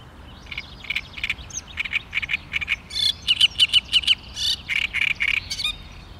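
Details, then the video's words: Great reed warbler, May 2013: rapid run of grating, croaky notes, several squeaky repeated syllables in the middle, then more harsh, rasping bursts, steady and loud throughout. "Didžioji krakšlė / Great Reed Warbler"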